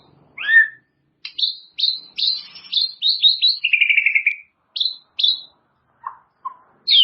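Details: White-rumped shama, a master training song for caged birds, meant to draw out their learned phrases: a clear series of sharp whistled notes and short buzzy bursts, then a rolling lower trill and scattered rising chirps.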